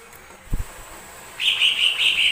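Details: Lesser green leafbird song meant to provoke other birds to sing: a couple of low thumps early on, then five evenly spaced, bright whistled notes in quick succession.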